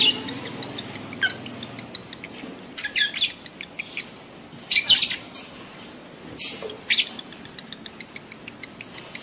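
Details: Excited lovebird calling to trigger mating in adult birds: uneven series of high, harsh chirps and screeches, some in short bunches, others as sparse clicks, against a low room hum.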